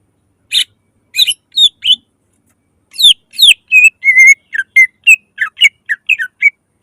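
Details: Greater green leafbird pouring out a loud lure song to stir other leafbirds: sparse sharp notes at first, then a quickening string of whistled slurs, one held flat whistle, and chips.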